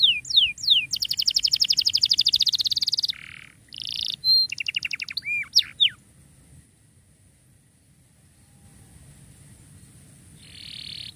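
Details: Singing canary for tutoring canaries gone quiet: a few sweeping whistles, a dense fast trill, short buzzes and quick slurred notes, then near silence with a faint buzz near the end.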